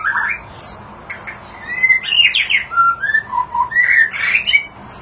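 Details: Displaying white-rumped shama in varied song, many voices mixed: quick slurred whistles, a cluster of steep rising and falling sweeps, low mellow notes, then short bright rapid phrases and thin high squeaks.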